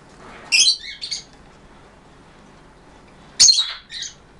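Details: Pet blue-and-yellow macaw indoors giving two short harsh squawks about three seconds apart, each a loud rasping burst followed by a quieter clipped note, with faint room hiss between.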